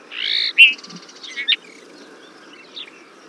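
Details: Desert finch singing a harsh buzzy note, then a sharp chirp and a rapid stuttering series of short notes, with a few soft scattered chirps afterward against low background noise.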